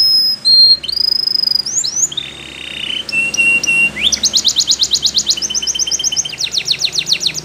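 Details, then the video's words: A Belgian canary sings long, pure, level whistles at several pitches, then an upward slide into a fast, loud, rhythmic trill that continues steadily to the end. "The Belgie Canary's Seduction for the Canaries to Stop Sounding"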